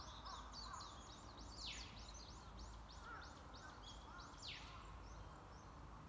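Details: A white-browed laughingthrush, recorded in April 2022, gives its call: a rapid run of high, arched chipping notes, about two or three a second, with a few sharp downslurred notes, over a low rumble.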